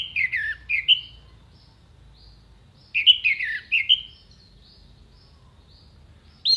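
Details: Orange-headed thrush with clear vocals, singing short bursts of descending slurred whistles ending in a bright high note, repeated twice after a quiet gap, for training contest songbirds.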